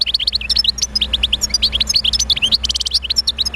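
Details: A European goldfinch pours out continuous, very fast tinkling song, meant to spur other goldfinches into singing, with chirps, slurred whistles and a brief trilled rattle, over faint low hum.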